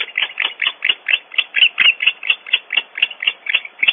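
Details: Barn owls, more than one, cleaking during an intruder episode at the nest cavity, Audubon Starr Ranch, California: rapid harsh, raspy notes repeated about four or five per second throughout, steady and unbroken, with no other clear sounds.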